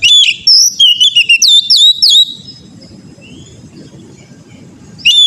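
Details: Oriental magpie-robin song meant to train an untrained bird: a two-second volley of loud, rapid, slurred whistles, then quiet low rumble with a faint soft note, and another sharp whistle at the close.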